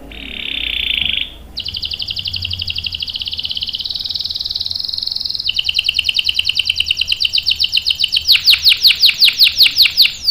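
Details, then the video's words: Canary in long rolling song meant for prompting and tutoring young birds: a brief low roll, a long high rattling trill, then broader downswept notes repeated quickly. "KENARI GACOR NGEROL panjang bagus untuk PANCINGAN dan MASTERAN paud | CANARY SINGING"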